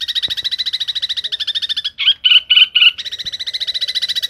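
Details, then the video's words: Long-tailed shrike in full, lively song: a fast, buzzy rattling trill with a doubled tone, broken midway by four louder, harsher chattering notes before the rapid rattle resumes. "cendet gacor isiannya mewah banget"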